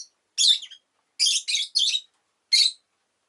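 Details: Five loud, rasping chirps from a rosy-faced lovebird within three seconds, three of them run close together in a quick burst.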